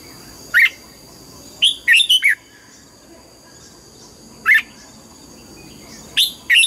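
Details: Red-whiskered bulbul giving morning training song in the mature wild double-note style: bursts of sharp chirpy whistles, some in tight runs of three or four notes, broken by pauses of one to two seconds.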